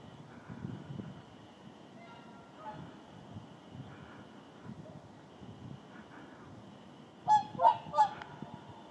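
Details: Whooper swan flock resting in the Indalsälven delta during southward migration; mostly quiet low rumble with faint distant calls, then a quick burst of three loud bugling honks near the end.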